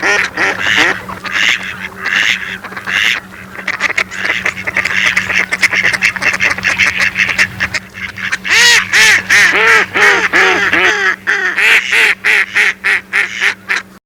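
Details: Mallard ducks giving loud, nasal quacks in rapid overlapping series, some runs falling in pitch, calling almost continuously with short gaps and a steady low hum underneath.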